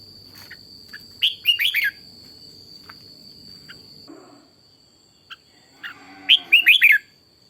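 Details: Morning song of a red-whiskered bulbul trained as a decoy bird to sing fiercely: two short, rapid phrases of clear looping whistles, separated by a pause with faint chirps, over a low rustling background and a constant high whine.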